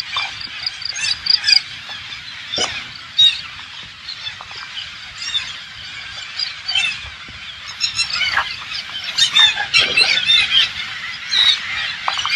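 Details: Hundreds of green parakeets, believed to be Alexandrine parakeets, descend on a rural organic farm in Thailand: a dense, overlapping din of harsh, screechy squawks and chattering calls, loudest in bursts toward the end.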